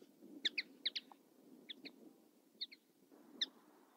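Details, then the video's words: Common linnet giving brief, bright chirped notes, mostly in quick pairs, about eight notes scattered over four seconds with short pauses between groups, over a soft low background rumble. "Common linnet 1h bird sound"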